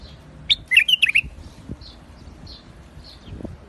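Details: In a rooftop garden a white-eared bulbul (Iraqi bulbul) gives a short, rich warbling phrase of rapid liquid notes lasting under a second, followed by soft far-off bird notes and light background noise.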